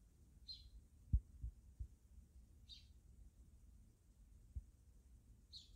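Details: Wild backyard sparrows giving three short, bright chirps spaced about two seconds apart, over a steady low rumble with a few soft thumps.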